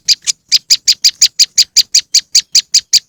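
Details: Moss wren sound for luring birds: sharp, high, evenly spaced chirps, roughly three a second, starting with a quick double note before the steady series.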